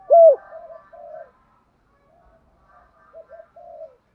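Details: Spotted dove calling in the 'thổ' decoy style: one loud coo opens the phrase, followed by soft gurgling coos, a pause and more quiet rolling notes.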